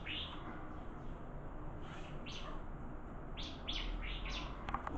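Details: Bar-winged prinia in a singing contest: a few scattered high chips, then a quick series of four rising, sharp notes near the end, over low background noise.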